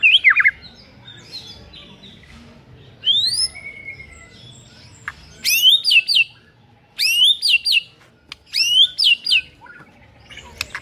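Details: White-rumped shama singing in the morning to provoke a rival shama: separate bursts of bright whistled phrases with rising and falling notes and quick trills, spaced by short pauses of one to two seconds over low background hum.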